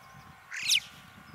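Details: Alpine chough, one of many tame birds gathered on alpine pastures of the Dachstein mountains in Austria, giving a single shrill whistled call that sweeps sharply upward and lasts about a third of a second, over a quiet background.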